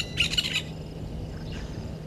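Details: A mating Woodland Kingfisher pair at Gowrie dam waterhole, Djuma Game Reserve, Sabi Sand, South Africa, 06:15 on 13 December 2022: a brief, harsh, half-second rattling burst, then a fainter echoing note over a steady low electrical hum.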